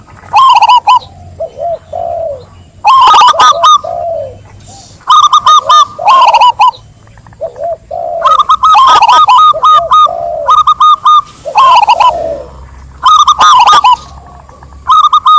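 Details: Song of a zebra dove: loud staccato trilled coo bursts alternating with quieter, lower, wavering coo notes, repeated steadily over about fifteen seconds with a faint low hum underneath.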